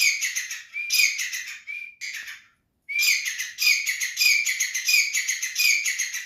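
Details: Grey francolin giving loud, harsh, rapidly repeated grating notes in dense bursts, with a short silent break near the middle before the calling resumes steadily.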